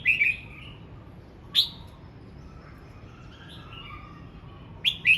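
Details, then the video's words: A red-whiskered bulbul sings while practising its voice, giving brief, sharp whistled notes and slurred chirps spaced a few seconds apart, ending in a quick two-note phrase, over a quiet low background rumble. "Chào mào hót luyện giọng"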